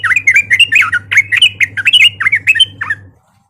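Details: Sooty-headed bulbul fighting call used as a lure to provoke other birds: a loud, rapid string of about fifteen warbled, slurred chattering notes lasting three seconds, then fading out, with a low hum underneath.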